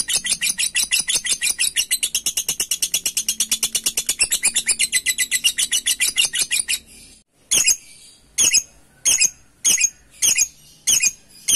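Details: Lovebird ngekek song used as a lure to provoke birds into singing, calling a rival: a long fast chattering trill of rapid high pulses lasting about seven seconds, then sharp single chirps repeated roughly every half second.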